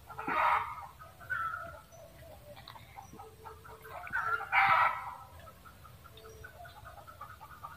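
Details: Two strong, rough cackles from a red junglefowl, one at the start and one near four and a half seconds, separated by quieter scattered clucks.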